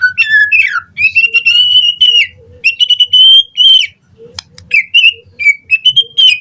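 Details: White-rumped shama morning song, recorded as a lure with varied filler phrases. Clear sustained whistles, some level and some gently rising, alternate with short chips and ringing notes, with pauses between phrases.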